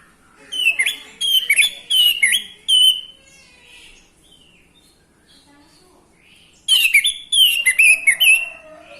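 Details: Orange-headed thrush song, used to stimulate breeding mood in males and get silent birds singing: rich, varied whistled and chattering phrases in quick bursts, a few seconds of quiet, then another lively burst.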